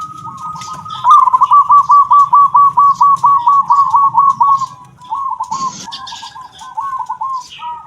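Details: Local zebra dove with the prized kung voice: a long rapid train of about twenty bubbly, staccato coos at an even pitch, then softer looping phrases, over a steady high whine and low background rumble.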